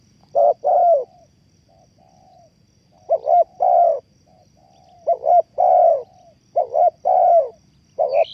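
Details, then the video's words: A spotted dove used as bait for trapping coos in rolling two-part phrases, a clipped note then a longer hoot. Soft distant coos come in between, and a brief high chirp sounds at the very end. "The Sound Of Spotted Dove is good,Bẫy cu gáy bằng mồi trồn,เสียงนกเขาใหญ่,Suara Terkukur Pikat Tua"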